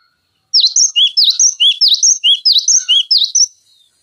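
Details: Cinereous tit delivering piercing 'tembakan' phrases as tutor material for other songbirds; quick bright downslurred notes paired with lower whistles, repeated about a dozen times over three seconds, then silence.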